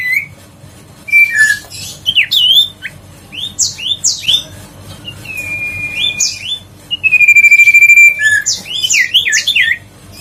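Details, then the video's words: Grey-headed canary-flycatcher lure recording for stimulating a bird reluctant to sing: scattered quick whistled slurs, a level drawn-out whistle, then a loud long steady whistle followed by rapid rising and falling looped notes. "tiếng chim huyt co siêu sang chảnh"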